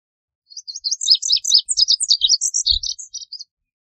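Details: Song of a Lazuli bunting: a three-second jumbled warble of high chirps, buzzes and paired notes delivered rapidly, with a few soft low thumps in the background.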